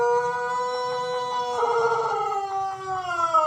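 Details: Portion of a white Pelung chicken's long crow: a steady, rich harmonic tone that swells in the middle and then slowly glides lower toward the end.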